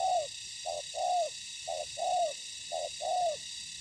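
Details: Spotted dove calling in ground trapping where a decoy meets wild birds; regular short-then-long coo pairs, the long note drawn out and slightly falling, about one per second, with background hiss.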